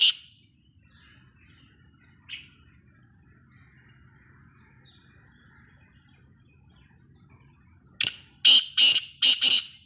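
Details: Black francolin, Sindhi nasal type, calling loudly after a long quiet stretch: a fast series of four harsh, scratchy bursts near the end, with a faint distant note earlier.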